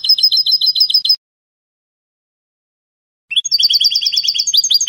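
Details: Spanish salon-style song of a European goldfinch: a rapid string of bright repeated chipping notes, a silent gap of two seconds, then another fast rising run of ringing notes.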